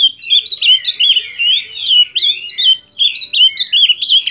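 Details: Ultramarine grosbeak delivering a rapid, tumbling run of sweet slurred whistles that swoop up and down, notes following each other almost without pause, with faint low murmurs underneath.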